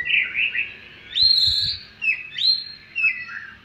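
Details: White-rumped shama (murai batu) song used to provoke rivals: sweet slurred whistles, some rising steeply, in short phrases with brief pauses, over a soft low background hum.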